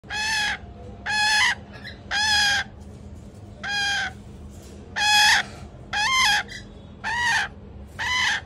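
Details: ['Male rainbow lorikeet giving harsh, strongly harmonic screeching calls, each about half a second long, repeated roughly once a second over a steady low background hum.']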